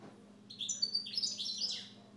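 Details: Brief, dense outburst of high, jangling twitters and trills from a pet Siberian goldfinch, lasting about a second and a half against a low humming background.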